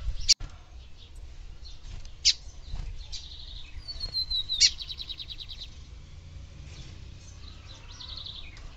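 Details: Female lined seedeater calling to stimulate the male: short high chirps and a few quick trilled phrases spaced a couple of seconds apart, with a sharp click near the start and low background rumble.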